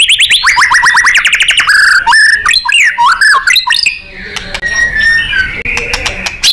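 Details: White-rumped shama in full song, intended as a master recording for contest birds: fast repeated swooping whistles and loud looping warbles, fading to quieter scattered notes and clicks.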